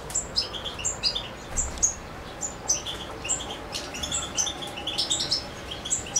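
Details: Song of a European goldfinch, Suki Makedonski style, Macedonia, 7 July 2011: lively, dense twittering of quick high chirps and short buzzy notes, tumbling up and down in pitch without pause.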